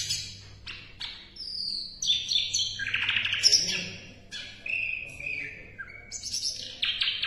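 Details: Asian brown flycatcher (sikatan londo) in a varied song of quick high chirps, falling whistles and buzzy rasping phrases in dense succession, recorded as tutor song for competition songbirds.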